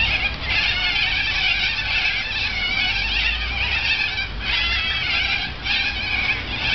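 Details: A large flock of corellas feeding in a Norfolk Pine tree right in front of an apartment balcony. Dense, harsh, overlapping screeching fills the whole stretch without pause, with a low rumble underneath.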